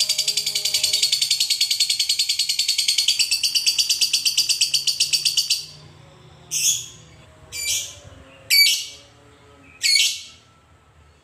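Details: Lovebird performing a long 'ngekek' trill, used as a lure to make other lovebirds sing: about five seconds of fast, even, rattling high chatter, then four separate harsh squeaky bursts spaced over a second apart.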